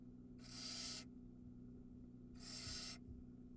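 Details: Nestling barn owl at the Ram-on nest camera in Israel, feeding time with a mouse swallowed whole: two evenly spaced, noisy snoring hisses, each about two-thirds of a second, roughly two seconds apart, with quiet background hum.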